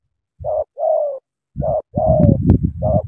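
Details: Spotted dove, Cà Mau, Vietnam, giving sắm thổ-style coos: two clear coo notes, a pause, then three more, the last ones backed by a deep throaty rumble and a brief click.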